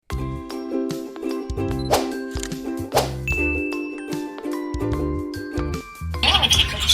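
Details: Chiming bell-like music with ringing dings and tinkles, then a brief noisy burst at the end, with no animal voice present.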